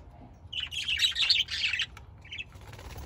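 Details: Budgerigar chatter: a dense run of rapid scratchy warbling chirps lasting over a second, then a brief pause and one short chirp.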